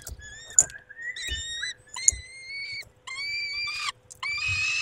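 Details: Male peregrine falcon tending the females at a Polish nest on a May evening: thin, whining drawn-out calls that slide upward, then rising harmonic wails, with soft knocking noises below.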